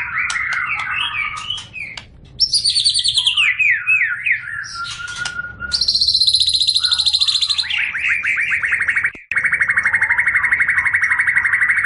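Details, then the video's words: Green leafbird (cucak ijo) full tutor song for young birds: a long, varied run of chattering notes, descending whistled trills, high buzzy stretches and a steady rapid trill near the end. "Masteran Full!!! Cucak Ijo sangat ampuh untuk bikin burung muda anda gacor ngeplong"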